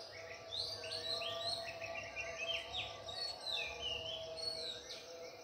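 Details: Birds singing at dawn at Ella Rock: several high, quick chirps and short rising and falling whistled notes overlap throughout, fairly distant, over a steady low hum.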